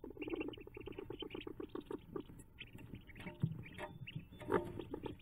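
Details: Hooded merganser on May 5, 2024, as ducklings jump from the nest: a steady run of low, soft pulsed notes, with thin high peeps scattered above and some rustling and bumping.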